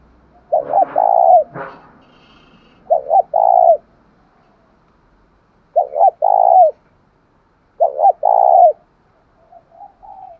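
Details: Spotted dove in the deep 'thổ sấm' voice, calling to stir up a decoy bird. Four low coo phrases about two to three seconds apart, each a stuttered double note then a longer note; a brief knock near the start.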